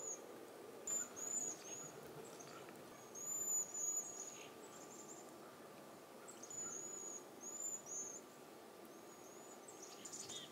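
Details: Cedar waxwings in a backyard give very high, thin, lisping trilled whistles in short bursts, with a faint steady hum and a few softer notes of other birds such as chickadees, nuthatches or crows.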